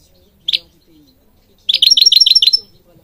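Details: European goldfinch song used for training birds: a single short chip, then a fast run of about eight repeated liquid notes with a fine high tone over them.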